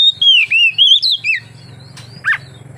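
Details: Oriental magpie-robin song for luring others into singing: a run of loud wavering whistled notes in the first second and a half, then quiet low hum with one brief sharp note near the end.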